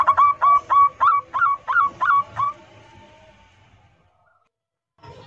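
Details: Zebra dove of local stock giving its loud 'kerot nguwor' lure song to set other doves singing: one burst of about eight clear, quickly repeated cooing notes, then near silence with a faint sound starting at the end.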